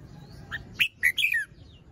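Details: Red-whiskered bulbul in the morning, fluffed up, still moulting, crest drooping, delivering one quick phrase of clear whistles that sweep up and down, ending in a slurred descending note.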